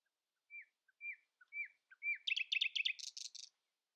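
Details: Early-morning song of a common nightingale that lets no rival sing louder: a few spaced, down-slurred whistles lead into a rapid, rattling buzzy trill, ending in higher, grating notes.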